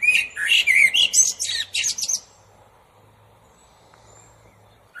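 A common blackbird gives about two seconds of rapid, varied warbling and squeaky high twitters, then falls silent.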